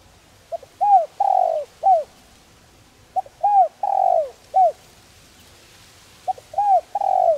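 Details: Spotted dove giving a gentle calling coo, used to prompt decoy doves to coo in training: phrases of a soft pickup note, a hooked coo, a long drawn falling coo and a short final coo, repeated about every three seconds in quiet surroundings.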